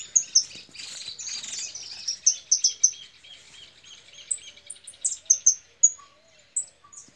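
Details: Agitated female European goldfinch, said to be angry, with rapid tinkling twitters and sharp high chirps, dense at first, then thinning into separate bright notes.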